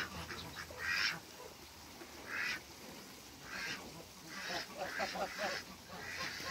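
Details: African geese, a pair being introduced to each other on a farm in Skydra, Greece, after meeting other waterbirds; short, harsh, nasal honks in scattered bursts, some doubled, over quiet farmyard background hiss.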